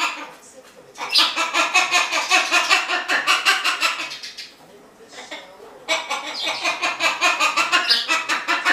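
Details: Amazon parrot kept as a pet, dancing with raised feet when happy and giving cheerful shouts: two long bursts of fast, pulsing raspy chatter separated by a quieter pause, indoors.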